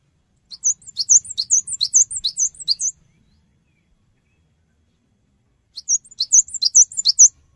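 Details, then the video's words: Cinereous tit singing to prompt other birds to respond: a rapid run of about nine high, sweet two-part phrases, a few seconds of silence, then a second similar burst. "Pancingan Suara Burung Gelatik Batu Cepat Respon"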